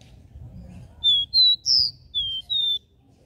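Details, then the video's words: Five pure whistled notes from a capped seedeater in the three-note regional 'Dó Ré Mi' style. The clean, high tones come at an even pace, the third slightly higher and rising, against near silence. "CANTO DO CABOCLINHO DÓ RÉ MI 3 NOTAS REGIONAL fibra"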